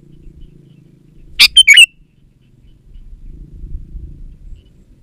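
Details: Sooty-headed bulbul, song used to lure wild birds: one brief bubbly phrase of a sharp note and three quick liquid chirps, then silence with a faint low hum.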